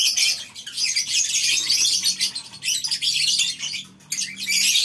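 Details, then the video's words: Morning in a lovebird breeding colony aviary: a crowd of birds keeps up a harsh, high-pitched squeaky chatter. A faint low hum runs underneath, and the sound drops briefly near the end. "Suara Love bird"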